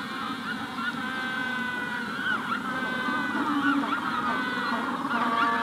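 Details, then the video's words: Magellanic penguins calling in a colony at the hatching stage, with a rufous-collared sparrow in the background; dense overlapping honking, braying calls from many birds throughout, with thin whistled notes above. "Magellanic Penguin / Calls MD In Colony At Hatching Stage"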